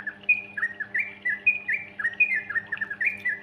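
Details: Young trucukan (yellow-vented bulbul) chattering nonstop, played as a lure to get other young birds singing: bubbly, warbling phrases of rising and falling notes, repeated rapidly without pause.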